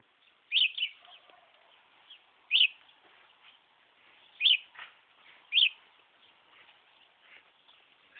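A budgerigar gives sharp, high chirps at uneven intervals, with faint chatter between them.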